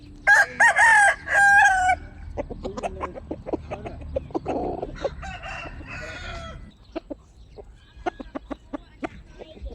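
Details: Chickens, opening with a two-part rooster crow, then a dense spell of clucking and rustling clicks that thins into scattered taps.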